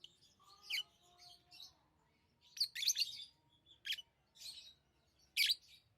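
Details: Lovebirds giving shrill, scratchy chirps in scattered bursts, with a few faint, steadier whistled tones early on and soft background twittering.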